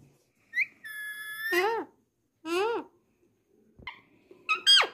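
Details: Alexandrine parakeets, Indian talking parrots kept indoors, give a sustained pure whistle followed by loud harmonic squawky syllables that rise and fall, with short gaps between bursts and a sharp click near the end.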